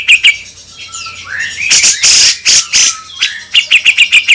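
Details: Cucak jenggot (grey-cheeked bulbul) lure song: short whistled notes rise into loud, harsh, broadband chattering bursts, then a quick series of sharp, even chips near the end.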